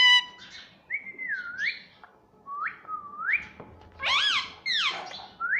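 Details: Talking pet rose-ringed parakeet whistling a series of swooping notes that dip and rise. One loud, rich, voice-like syllable appears near the end, with brief squeaks between phrases.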